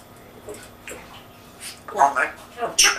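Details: An indoor African grey parrot mimics human words with an English accent: soft murmurs build into louder, clipped speech-like syllables and a sharp high final burst.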